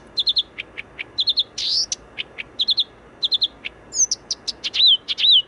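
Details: Blyth's reed warbler in Warsaw's Wola district, near Warszawa Zachodnia station, sings an unhurried song of high phrases, each note repeated three or four times, mixed with sharp ticks, a buzzy note and slurred whistles.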